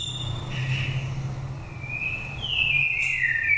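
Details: Lure song of a five-season Oriental magpie-robin from Dak Lak, Vietnam, with a pure wild voice: long slurred whistles that rise and fall, growing louder toward the end, with a constant low rumble behind.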